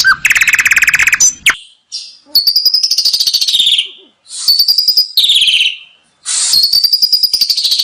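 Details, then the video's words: Asian pied starling song, a rich mix of fast rattling trills and long buzzy whistled notes that slide downward, given in several bursts with brief pauses. "masteran jalak suren 1 menit langsung ikut bunyi ful isian mewah"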